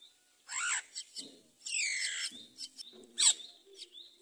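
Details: Mother common myna feeding rice to her chick: loud croaking, chattering squawks with falling and stacked harmonic notes, plus soft low rustles.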